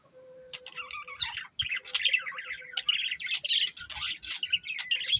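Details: Budgerigars, a breeding pair, chirping: a soft steady whistle at first, then building chatter of squawks, buzzy trills and a thin rising whistle, with faint knocks underneath.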